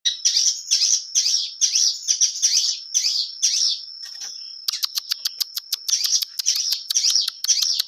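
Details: Long-tailed shrike in full, clear-voiced song with a rich repertoire: bursts of high, scratchy chattering notes about twice a second, then a run of rapid clicking ticks, all over a thin steady high tone.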